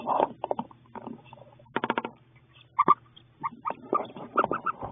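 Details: Wood duck in a nest box at hatching time, after 32 days of incubation, filmed in real time: a busy run of short clipped calls and nasal notes, some in quick clusters of four, with rustling and scratching between them.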